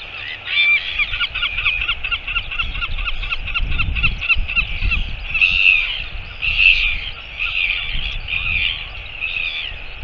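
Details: Northern royal albatross recorded on 25 September 2022: a fast run of harsh, honking pulses repeated for about five seconds, then louder irregular calls, over steady chirping from other birds and a low rumble.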